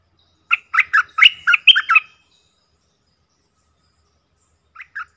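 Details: Four caged decoy bulbuls recorded in the forest give a quick burst of chattering, warbled notes lasting about a second and a half, followed by silence and two short notes near the end.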